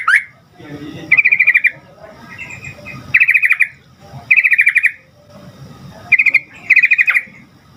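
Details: Sooty-headed bulbul singing to draw answers from other bulbuls: five quick chattering bursts of fast repeated notes, each about half a second, spaced one to two seconds apart over low background noise.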